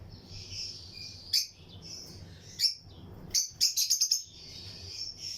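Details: Lutino lovebird colony in a breeding aviary: a soft high twitter broken by single sharp chirps, then a quick run of five or six piercing notes around the middle.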